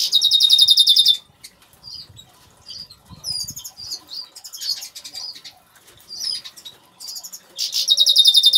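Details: Agate-coloured Major goldfinch singing in a home aviary: loud, buzzy rattling trills at the start and end frame a middle stretch of soft, scattered twittering notes and high slurred chirps.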